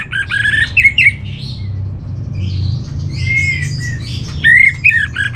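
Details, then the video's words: Orange-headed thrush master song for captive birds: bursts of rapid warbled and chattering phrases with bright sliding whistles, separated by quieter stretches over a low room hum. "Menstabilkan Burung ANIS MERAH Dirumah Baik EMOSI & Birahi dengan Mendengarkan Kicauan Masteran ini"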